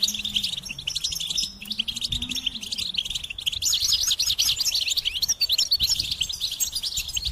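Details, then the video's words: Long, rich goldfinch song of rapid liquid twitters and buzzy trills, loud and continuous, with a low wavering tone in the first three seconds. "Golden Melodies in Motivation Experience the Goldfinch Singing"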